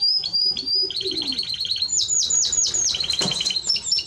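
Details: Timbrado Español canary singing steady series of rapid repeated notes, shifting from a mid-pitched run to higher ringing chips.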